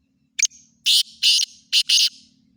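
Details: Black francolin, known locally as kala teeter, giving its harsh grating call: a quick double tick followed by four loud, buzzy, broadband notes in a stuttering rhythm, over quiet background hum.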